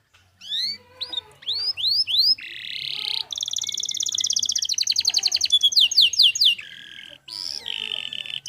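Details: Lively clear-voiced canary used as training song for other birds: a series of upswept whistled notes, a buzzy burst, then a long rapid rattling trill and more buzzy phrases, with a faint low hum beneath.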